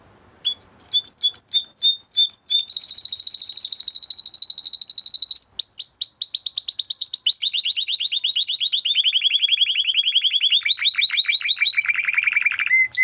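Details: Canary of the Timbrado breed in a training song, starting after a brief pause with clipped notes, then long rapid trills that slowly descend in pitch over several seconds.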